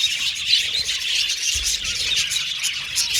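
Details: Flock of budgerigars in an aviary chattering nonstop, overlapping high squeaky chirps and squawks forming a steady bright din.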